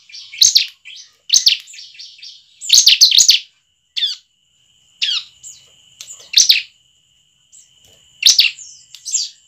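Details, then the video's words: Bar-winged prinia song used as a lure to get other prinias singing: loud, sharp, high chirping bursts about every second, with a thin steady whistle beneath and a faint second bird. "ciblek manapun langsung bunyi dengarnya dengan pancingan ciblek satu ini"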